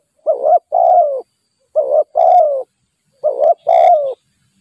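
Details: Repeated coo phrases of a wild spotted dove met during decoy trapping. Three phrases come about every one and a half seconds, each a rough two-part note then a longer throaty coo drooping at the close.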